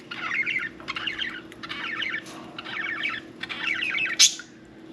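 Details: Happy pet budgerigar at bath time warbles in rapid, scratchy phrases, five bursts of wavering chatter separated by short pauses, ending with one sharp high squeak; a low steady hum underneath.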